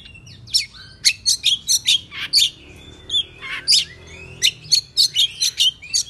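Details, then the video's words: Oriental magpie-robin singing in the morning, agitated and excited, tail spread: a rapid run of sharp high whistled notes and buzzy chirps in quick bursts, several accented loud notes, little background noise. "Pancingan Kacer Bikin Emosi Agar Kacer Gacor ! Buka Ekor Ngobra - Suara Murai Cacing"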